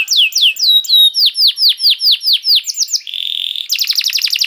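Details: Canary used as bait to make other canaries sing: slow series of swooping downward whistles, a buzzy held note, then a fast rattling trill.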